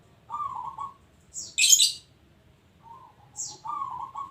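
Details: Local zebra dove cooing: a trilled, rolling coo phrase at the start, a loud high chirp in the middle, then a softer note and another rolling coo at the end.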